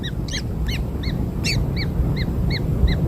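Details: Newborn kingfisher chicks being fed black insects: about nine clear, arched squeaks, each dipping at the end, spaced roughly every third of a second above a low rumble.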